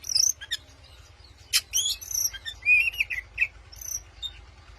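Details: Oriental magpie-robin provoking a rival with song: a high wavering whistle, sharp chips, then a lower warbled phrase and a final thin whistle, spaced by pauses, with a faint low hum.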